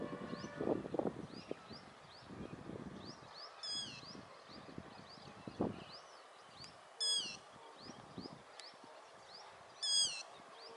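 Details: Three shrill, ringing calls from a running yellow-wattled lapwing, roughly three seconds apart. Each is a brief, high, slightly falling note. Thin rising chirps from other birds and low rustles are heard in between.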